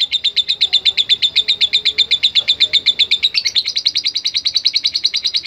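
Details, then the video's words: Lovebird answering a lure recording, giving a fast, regular series of sharp, high chirps at about two per second, rising slightly in pitch near the end. "Sekali Pancing Pasti Love Bird Nyaut Dan Bunyi | Love Bird Ngetik Dan Latah"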